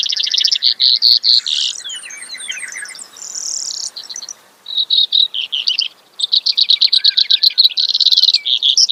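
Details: Brewer's sparrow song: quick rattling trills alternate with slurred whistled notes and a short silent gap, then steady dry buzzy pulses repeated about twice a second.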